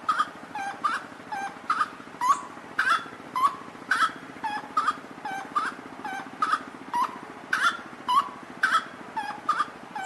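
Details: A grey-cowled wood rail (Aramides cajanea) in the Unesp Botucatu Biosciences botanical garden answers playback with loud, harsh, nasal notes about twice a second in a steady, cackling series, over a faint background hum.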